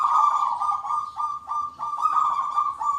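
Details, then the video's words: Local zebra doves singing lively in the big 'kung' style, many answering together. Dense, unbroken run of vibrating coos with small pulses of emphasis and no pause. "PERKUTUT LOKAL GACOR SUARA KUNG BESAR RAMAI BERSAUTAN"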